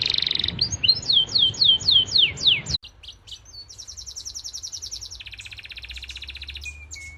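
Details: Canary singing: a series of repeated descending swooping whistles about three per second, then after a brief break fast buzzy rolling trills and a final soft note. Low background hum in the first part.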